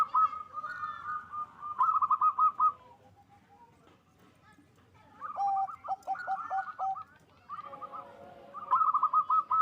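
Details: Local zebra doves singing vigorously in a loud voice, song meant to raise mating drive: bursts of rolling, trilled cooing notes around a steady pitch, with lower hooked notes, separated by a quiet pause of about three seconds.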